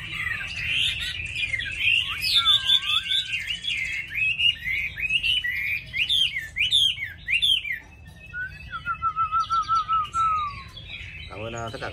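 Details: Caged tame hwamei, a good singer, delivers loud, sweeping whistled phrases with rising and falling slurs, then a long, wavering lower whistle that drifts downward, ending with a brief rasping sound.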